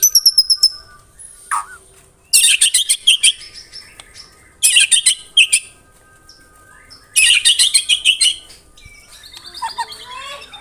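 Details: White-rumped shama (murai batu) in rapid 'tembakan rapat' song: dense bursts of sharp, high, stuttering notes, each lasting about a second and separated by pauses, with softer twittering between bursts.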